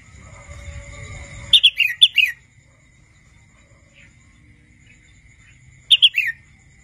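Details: Young wild-caught red-whiskered bulbul practising song: one phrase of clear, bouncy whistled notes falling in pitch, a long quiet pause, then a shorter repeat of the phrase; faint low rumble before the first phrase.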